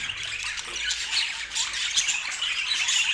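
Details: Short burst of budgerigar flock chatter: high twittering, bright squeaks and scratchy warbles overlapping continuously.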